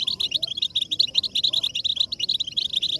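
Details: European goldfinch stimulation song, played to make goldfinches sing without interruption: continuous high, liquid twittering with quick trills and buzzy tinkles packed tightly together, no pauses.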